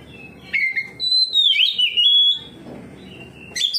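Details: Oriental magpie-robin singing in open ngeplong style, answering another magpie-robin and unloading its repertoire: loud clear whistles sliding down and rising, then a long wavering high phrase with a pause before a new burst.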